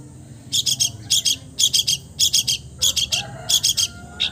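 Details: Long-tailed shrike, a bird that mimics all kinds of other birds, delivering rapid triplets of rasping high-pitched buzzes in steady groups, with a faint lower whistle near the end.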